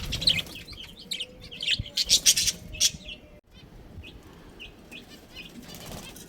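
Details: Budgerigars from a colony with a breeding pair chirp busily, rising to a run of loud sharp squeaks, then fall quiet apart from faint scattered tweets and a low rumble.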